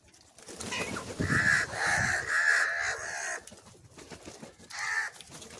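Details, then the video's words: Crow calling for cheese while being fed different foods: a run of harsh, drawn-out, nasal caws rich in harmonics, three or four linked together over about two seconds, then a pause and one shorter caw near the end. "Different Crow Sounds and Calling for Cheese"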